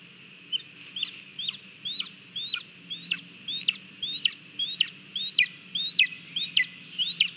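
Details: Lesser spotted eagle in Latvia, recorded by a nest camera on 18 July 2022 while eating a mole; a steady series of short, sharp rising whistled notes, somewhat softer, repeated almost twice a second over low background noise.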